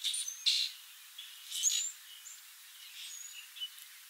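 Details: Singing song sparrow, while foraging, delivering strong buzzy bursts at the start and middle, trailed by softer thin whistles and short chips before fading.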